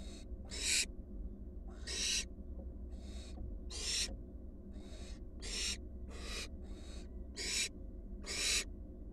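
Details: Wild barn owl fledglings returning to the nest box, four birds, give long breathy hissing screeches, loud ones alternating with softer ones roughly every second, over a steady low background hum.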